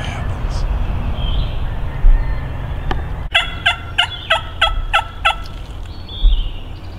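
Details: Male wild turkey approaching in response to a hunter's calls, gobbling the whole way in: a rapid burst of about eight rattling, stacked gobble notes, preceded by thin songbird whistles and a sharp snap in the background.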